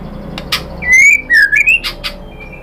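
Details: A white-rumped shama gives a brief song to call out other shamas: two clear whistled phrases, the first rising, the second dipping and then climbing, with soft clicks around them.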